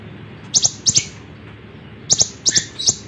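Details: Lemon-bellied white-eye song, recorded as a model for training other songbirds: sharp high paired chips in short bursts separated by a quiet gap, over a low background hum.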